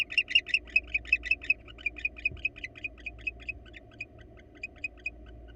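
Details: Wild male barn owl at a nest box trying to convince a female to enter it, giving a fast series of short, high ticking chirps that slowly fade and spread out, over a steady low hum.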